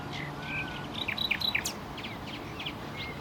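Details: Common nightingale (Luscinia megarhynchos) singing: a short phrase of sharp high whistled notes and quick downward clicks around the middle, with softer notes after, over steady low background noise.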